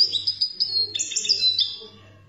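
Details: Algerian European goldfinch, 'khaloui' song style: a continuous string of high, liquid twittered notes and short slurred whistles, fading toward the end, with a faint low electrical hum beneath.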